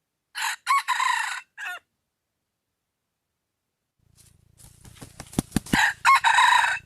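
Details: Wild junglefowl crowing, offered as a sound that draws the birds in: two short harsh bursts, then a break and a drawn-out, rough crow rising through strained syllables, with a low steady hum beneath.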